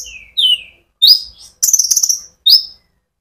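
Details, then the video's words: Konin sunbird singing in a continuous rolling style, used as a lure to stir other sunbirds: sharp high chirps sweeping downward, then a fast buzzy trill of rapid notes, separated by short silences. "pancingan Burung Konin gacor ngerol"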